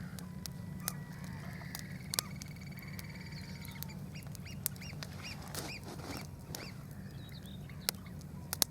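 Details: Shrill, piping oystercatcher calls, possibly a pied oystercatcher, in short bursts of clipped 'kleep' notes near a Thames foreshore RSPB reserve at low tide around sunset, over steady low rumble and crackling campfire pops; finding: Oystercatcher.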